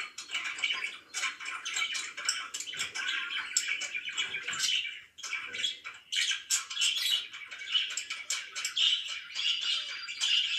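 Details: Pet budgerigars in the morning keep up a long, continuous chatter of rapid, scratchy chirps and tweets, dipping briefly halfway through before resuming.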